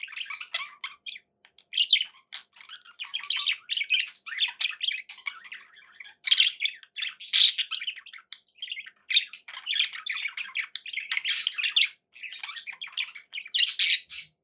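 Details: Pet budgerigars indoors chattering continuously: dense bursts of buzzy, scratchy chirps and warbles, with short squawks mixed in, overlapping with hardly a pause through the recording.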